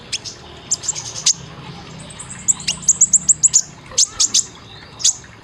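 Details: Olive-backed sunbird heard in an 'isian tembakan' training recording for caged birds: scattered high chirps, then a rapid even run of about eight shrill piping notes, followed by spaced sharp notes.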